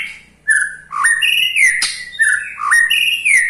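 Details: Ketrekan of a white-rumped shama, meant to set other shamas singing: clear whistled phrases that jump up and slide down, with a sharp click in the middle, repeated twice.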